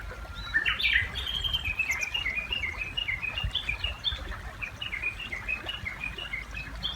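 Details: Japanese bush warbler (Horornis diphone) singing beside a river: a brief rising note, then a long, fast run of high chattering notes rising and falling in pitch, over a low river rumble.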